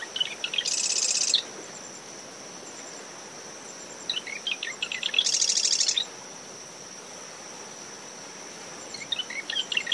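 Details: Early-morning Marsh wren song from dune vegetation surrounding a nest, recorder ten meters from the high tide line. Two full songs and the start of a third, quick separate notes running into a harsh mechanical trill. Constant cricket whine, brisk wind and surf behind.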